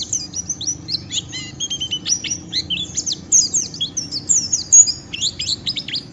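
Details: Rough, fast ngeriwik song from a white-eye, meant to stimulate other white-eyes to sing: busy stream of thin, high chirps, quick slurs and trills packed closely together, with a faint low hum underneath.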